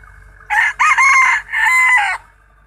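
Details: Rooster, one of two in the recording, giving a loud crow in four connected parts: a short opening note, a brief second note, then two long, strained, level phrases, lasting about one and a half seconds before quiet.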